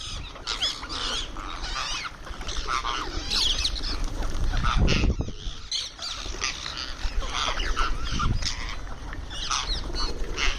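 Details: Indian ringneck parrot calling while it eats: rapid, raspy, high-pitched chatter repeated in irregular bursts over ten seconds, with thuds and background rumble in between.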